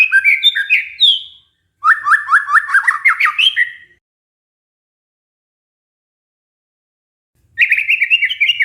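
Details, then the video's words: White-rumped shama lure song to stimulate stressed shamas back into song: a quick phrase of varied whistles, then a rapid rising series of chattering notes, a long silence, and another burst of fast whistled notes. "pancingan murai batu macet bunyi karena stres"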